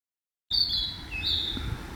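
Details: Wild Narcissus flycatcher in woodland, imitating a cicada: a sustained, buzzy, high-pitched drone that starts abruptly, dips slightly, then swells again.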